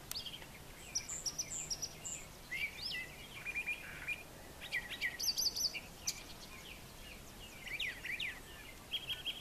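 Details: Brown thrasher in morning song on a farm yard with brushy areas: a varied sequence of short phrases, some repeated, high chips mixed with lower slurred notes, with brief pauses between.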